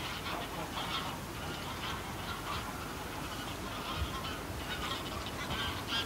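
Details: Greylag geese, a small flock calling in flight at close range, later calling on the ground; nasal honks come in overlapping bursts about every half second over steady low rumbling noise.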